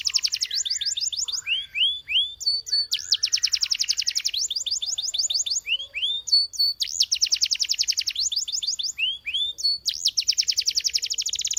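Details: Canary song: rapid trills of sweeping high notes, bursts of fast repeated syllables alternating with slower downward-swooping whistles, phrases shifting every second or two, continuous and loud with no other sounds.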